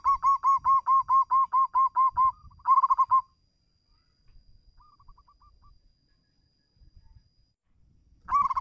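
A zebra dove gives rapid, soft, pulsing coos in a quick run, calling out to a rival.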